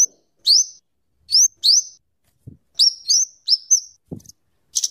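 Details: Scarlet-headed flowerpecker used for luring and tutoring: high thin rising-then-level whistles in pairs and triplets, ending in a short burst of fast ticks, with a couple of faint low knocks.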